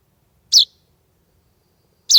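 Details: A chaffinch nestling out of the nest, alone at a doorstep on a summer evening, 16 July 2020, gives two clear, high, descending chirps roughly one and a half seconds apart, with quiet between them.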